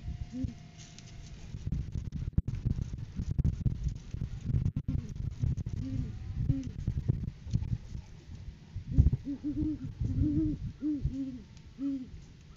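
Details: Great horned owls during courting season, filmed by live cam on 7 January 2023 as the male delivers food to the female; a run of arched, harmonic hoots in the second half, preceded by crackling, thumping handling-type noise.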